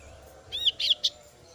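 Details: Single short burst from a female kasu-kasu bird chick calling its parent: three quick, high, slurred chirps, the first rising then falling, in under a second.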